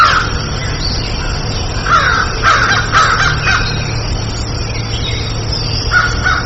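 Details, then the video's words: Crow making quick clusters of short, nasal caws over a loud, steady low hum and broad noise. "CROW SOUND - CROW SOUND EFFECTS"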